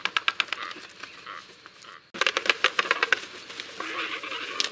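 Yellow-billed stork giving dry, rapid wooden clattering in two bursts with a brief pause between them, over a soft background hiss.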